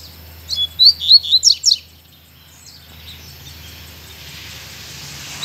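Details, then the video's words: Lined seedeater singing in a small dense forest with bamboo and brachiaria seeding grass, giving a quick, high phrase of about six bright, slurred notes lasting just over a second, over faint outdoor hiss. "O bigodinho cantando aí também."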